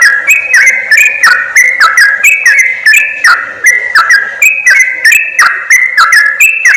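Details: Yellow-vented bulbul call played to draw wild birds toward trappers: rapid chirpy notes tied to slurred whistled phrases, repeated in a busy, bubbling rhythm.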